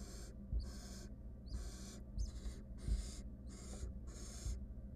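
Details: Wild barn owl at a monitored nest box during a confrontation involving the female; a steady run of rasping, broadband hisses about a second apart, with soft knocks and shuffling underneath.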